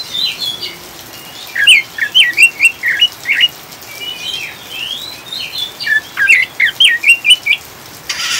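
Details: Oriental magpie-robin in a chattering, ngriwik-style song, used as a lure to calm and stabilise caged birds. Rapid bursts of sharp, high chirps and squeaky whistled notes come in uneven runs over a steady hiss of rain.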